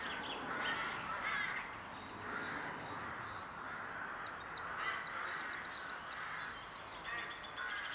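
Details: Eurasian wren singing in April 2021 at Glimmen: a fast, high, ringing trill of sharp repeated notes bursting out midway, against steady background noise and low, hoarse cawing from crows.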